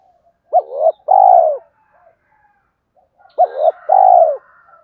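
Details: Spotted dove cooing to call females and provoke rivals: two phrases, each a short rising note, a brief note and a long falling coo, about three seconds apart.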